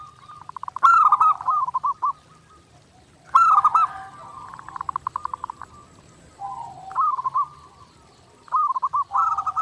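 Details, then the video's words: Zebra dove, clear master recording for daily training, gives repeated phrases about every two to three seconds, each opening with a sharp high note and dropping into a stuttering, purring coo. "SUARA PERKUTUT GACOR NONSTOP | MASTERAN PERKUTUT JERNIH UNTUK LATIHAN HARIAN"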